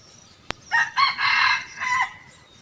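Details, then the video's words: Wild red junglefowl drawn to a decoy trap in 2020, two birds arriving: a sharp click, then a loud, hoarse crow in four linked parts. The long middle part is strongest and the short final note fades, over a quiet background. "Cuab qaib qus tuaj 2 tug ต่อไก่ป่ามา2โต2020"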